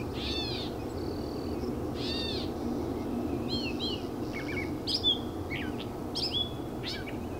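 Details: Gray catbird recorded 31 May 2015: arched, cat-like mewing notes followed by a jumble of squeaky, slurred phrases over a steady low rumble of background noise.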